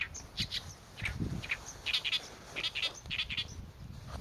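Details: Oriental reed warbler singing: harsh, scratchy notes delivered in quick uneven groups, some squeaky higher accents, with faint low rumble.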